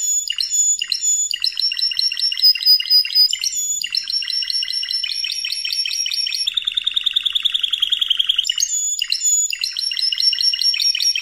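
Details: Spanish Timbrado canary training audio: a long sequence of metallic ringing trills in changing tours, with a lower, rapid, rolling trill near the middle before the bright phrases return.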